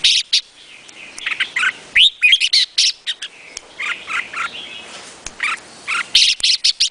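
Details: Vietnamese red-whiskered bulbul giving quick chirpy notes and a rising whistled flourish, followed by steady strings of short clipped chirps.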